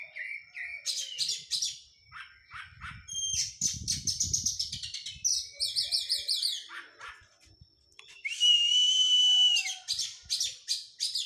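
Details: Oriental magpie-robin in training after its moult, alternating chattering bursts, rapid rolling phrases and looping notes, with a long steady piercing whistle near the end and some low background rumble.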